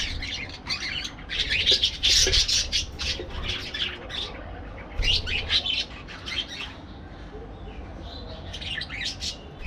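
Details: Aviary parakeets give loud, harsh squawking bursts in two main flurries, with scattered chirps between and quieter calls trailing off.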